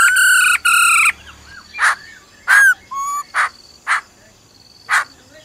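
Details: Female laughingthrush calling "ro ro" to get a male going. Two loud, sustained harmonic notes open, followed by scattered short chirps, dipping slurs and sharp clicks.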